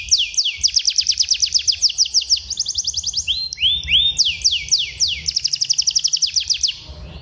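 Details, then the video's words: Tutor song for juvenile canaries to train rolling, continuous singing: long rapid rolls of descending notes around four to five per second, broken midway by lower rising whistled slurs, then another quick roll. "masteran kenari paud agar gacor dan ngeroll"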